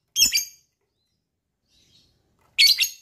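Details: Lovebird calling to set off other lovebirds' trills: two loud, shrill, doubled screeches roughly two and a half seconds apart, with silence between.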